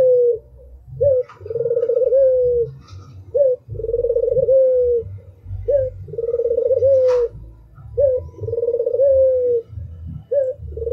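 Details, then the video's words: Barbary dove, an albino bird, cooing in a steady cycle: a brief rising note, then a drawn-out trembling coo that falls slightly at the end. Five phrases in sequence over low rumbling noise, with a faint click midway. "SUARA TAJAM !!! BURUNG PUTER ALBINO ll SUARA BURUNG PUTER MERDU"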